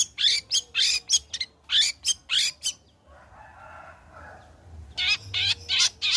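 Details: Long-tailed shrike singing well after the molt, a lure to start shrikes singing: rapid harsh rasping notes, a soft murmuring lull of about two seconds, then the rasping series returns.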